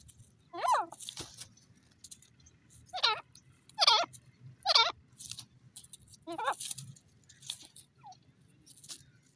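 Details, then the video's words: Francolin calling with a short series of loud, wavering harmonic notes, several calls spaced about a second apart over a low steady background hum. "teetar ki awaz,teeter bird ki sound"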